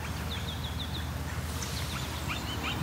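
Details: An osprey calling nonstop beside the Grand River in Waterloo, Ontario, among riparian and urban habitat: a quick run of short, high, whistled chirps early on, with fainter chirps later, over heavy low background rumble.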